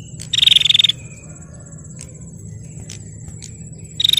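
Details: Harsh, rapidly pulsed buzz from a female bar-winged prinia calling to provoke males, followed about three seconds later by the start of another burst; a thin high whine and soft ticks run between them.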